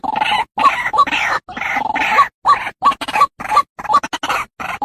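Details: White-breasted waterhen call played as a hunting lure: loud, harsh, nasal croaking phrases repeated rapidly in uneven bursts with short pauses between, dense and rough throughout.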